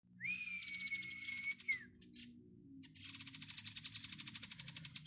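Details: Bar-winged prinia chick calling: a long, thin, level whistle that bends down at the end, then a rapid buzzy ticking trill of about twenty high pulses after a short pause.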